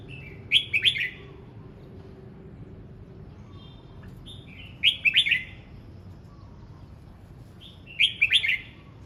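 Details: Red-whiskered bulbul in song practice, delivering three similar bubbly warbled phrases at roughly three-and-a-half-second intervals, each opened by a brief whistle.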